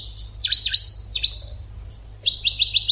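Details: European goldfinch educational song, starting with a buzzy trill, a few harsh twitters and a clipped chirp, then a fast run of five bright repeated notes; low hum behind.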